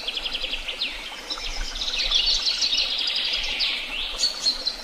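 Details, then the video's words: Tehidy Woods birds in full song: rapid repeated chirps, swooping U-shaped whistles and dense twitters from several singers overlapping, with a faint low rumble underneath. "Sounds of beautiful birds and the tweet of birds"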